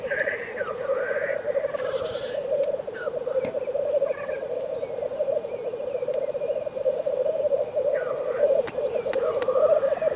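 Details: Black grouse in a frosty landscape giving a continuous, low, bubbling cooing that rolls on without a break, with faint higher curving calls rising and falling above it now and then.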